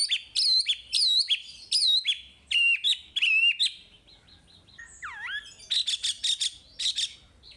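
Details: Chinese hwamei singing, recorded for training caged birds: repeated looping whistled phrases about twice a second, a lower descending whistle, then a series of dry chattering notes.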